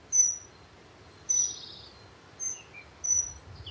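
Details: A Dunnock (Prunella modularis) gives four thin, very high, piping tseep call notes, about one a second, one note slightly buzzier, over faint background hiss.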